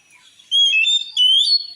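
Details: Oriental magpie-robin (kacer) song, said to drive other magpie-robins into a rage: after a faint start, loud clear whistled phrases slide and waver between mid and high pitch, with a short gap before a final rising whistle.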